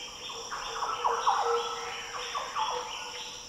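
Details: Several liquid, fluty Green Oriole phrases from the Daintree rainforest, Australia, tumbling notes with rising and dropping slurs in two bursts, over persistent high insect buzzing.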